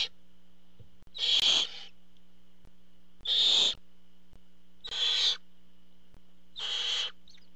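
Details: At a barn owl nest during a food delivery by the parent, four harsh hissing screeches at uneven intervals of one to two seconds, the later ones softer, over a low hum.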